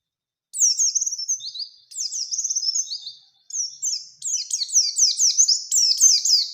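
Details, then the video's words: Oriental white-eye song used to provoke a bird into singing and challenging a rival: fast high twittering phrases with sliding warbled notes, delivered in bursts separated by brief pauses, growing denser toward the end. "Burung PLECI GACOR Ngalas Ngerol Nembak Mencari Lawan | Pancingan Pleci Cepat Nembak"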